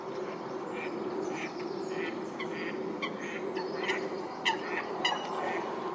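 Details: Eurasian coots fighting at Wilgenbos, Almere: sharp, explosive clicking calls burst out irregularly, about two per second, over a steady droning background hum.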